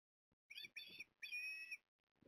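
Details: Osprey at Port Lincoln, 14 September 2022, as the male arrives with a fish for the female: three loud, shrill whistled notes, the last drawn out, with faint low rustling underneath.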